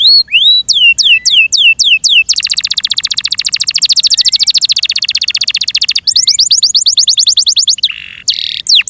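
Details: Kept Yorkshire canary song: quick slurred whistles give way to a long, even, rapid trill lasting about four seconds, then return to falling whistled notes with a short rasping phrase.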